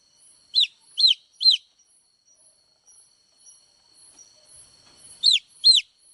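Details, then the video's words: Baby chick peeps, high and thin, each falling quickly in pitch. A quick run of three is followed by a long near-silent pause, then two more close together. "chicks chirping sound"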